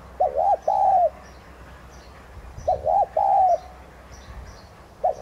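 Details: Spotted dove of the tigrina subspecies, a decoy bird cooing in the thúc gù manner to get others calling: two full phrases, brief paired notes leading into a longer falling coo, the start of a third at the end; faint high chirping.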